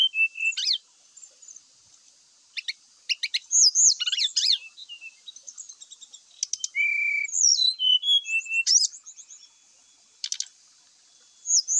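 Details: Brown-chested jungle flycatcher singing to provoke other males into fighting: varied high whistled phrases, slurred notes and sharp chips, with a steady high hiss behind and short pauses between bursts.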